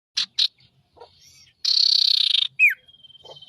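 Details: Ashy tailorbird song used as a loud master recording for luring birds: short sharp high bursts, a harsh buzzing trill lasting about a second, a quick downslurred whistle, then a thin sustained tone.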